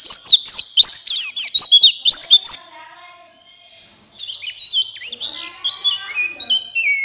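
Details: Buxtoni white-eye song played so caged white-eyes open their beaks and sing: rapid, high, zigzagging chirps, a quiet gap, then softer, descending whistled phrases.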